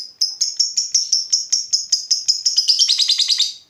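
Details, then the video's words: Lovebird ngekek, played as a lure to make other lovebirds reply: a rapid, steady run of sharp high chirps, about two or three per second, speeding into a dense rattling chatter at the end. "Pancingan Lovebird Gacor Burung Lakbet apapun pasti Nyaut Ngekek"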